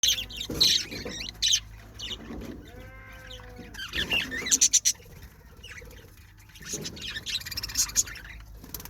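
Budgerigars chatter with rapid, scratchy warbles and sharp high chirps.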